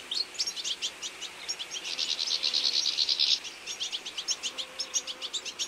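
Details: Autumn feeding flock of European goldfinches calling: bright, high tinkling twitters at roughly two per second, swelling midway into a continuous chattering burst from many birds, then easing back to spaced chirps.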